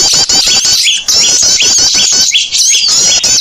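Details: Small birds heard in a bird-attracting lure track: shrill overlapping twitters with sharp rising notes repeating roughly every half second, busy and noisy throughout.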